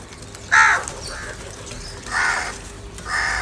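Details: Crow live in a fight, angry and calling for food; three loud, harsh, hoarse caws, the first strongest, then two more spaced about a second or more apart against a quiet noisy background.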